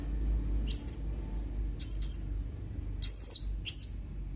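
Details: Blue-crowned hanging parrot dated 31 March 2021, giving short shrill high-pitched chirps, mostly in quick pairs, in four bursts spaced about a second apart against a quiet background.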